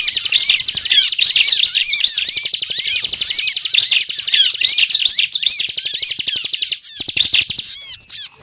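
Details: Bar-winged prinia in nonstop 'ngebren' song, used as a bird-trapping lure: rapid high-pitched twitter mixed with buzzy trills and quick upslurs, ending in a few clear, higher whistles.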